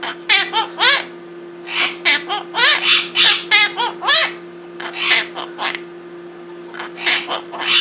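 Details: Pet Quaker parrot, two years old, with swearing learned from a rescued Quaker, chattering in quick runs of bright, wavering, speech-like syllables, bunched in bursts with brief pauses, over a constant low indoor hum.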